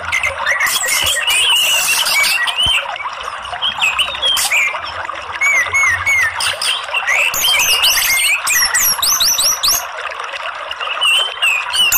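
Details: Orange-headed thrush from Indonesia, a therapy and lure sound meant to stimulate a rarely singing bird. The 'ngeriwik' twittering is dense: overlapping whistled, slurred notes and chattering phrases, continuous and busy, with rapid repeated chirps throughout.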